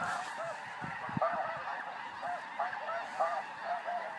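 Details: A more distant flock of snow geese in flight gives a thinner wash of nasal honks and yelps, with a few low knocks early on.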